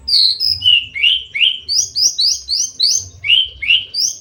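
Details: Caged Javan bush lark in breeding condition, wanting to mate, wing-trembling and crest-raising as it courts; clear, loud whistled notes sliding down then rising, delivered about three per second in an even, repeated series, with quiet low hum behind.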